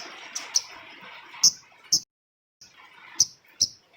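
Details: Female cabai rimba flowerpecker calls used to lure other birds: single sharp, high-pitched ticks at uneven intervals, six or so over four seconds, with a brief silent gap midway.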